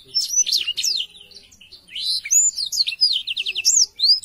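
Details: Sweet, high chirping from a black-throated canary, a quick twitter, a pause, then rising whistled notes and rapid repeated upswept chirps.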